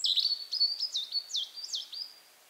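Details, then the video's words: European robin singing in late April in the Berezinsky Reserve, Belarus: a high, thin run of sliding whistles and quick trills, notes rising and falling sharply, fading away at the end; no other sounds. "Зарянка (Erithacus rubecula)"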